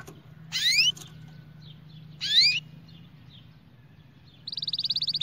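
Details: Singing canary used to train chicks and excite males: two bright rising sweeping notes about two seconds apart, then a quick, regular high trill near the end, with a steady low hum underneath.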